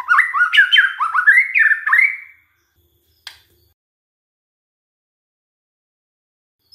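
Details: Lure song of a white-rumped shama intended to provoke other shamas into song: about two seconds of quick, tumbling whistled and chirped notes, then near silence with one faint click.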